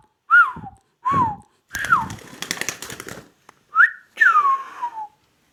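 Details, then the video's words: Ring-necked parakeet talking: arched whistled syllables, then a burst of clicking, rattling noise, followed by a rising whistle and a long descending whistled phrase. "ringneck talking"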